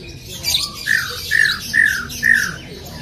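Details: Greater green leafbird, recorded as a lure to prompt another bird to sing, gives four harsh, squawky mid-pitched notes spaced about half a second apart over a faint hiss.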